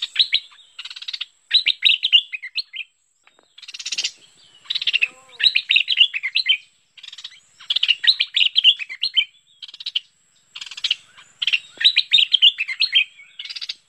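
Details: Bulbul (merbah lekir) lure-call recording: bright, bubbly chattering phrases about a second long, repeated with short pauses, high-pitched and clear, with no other sounds.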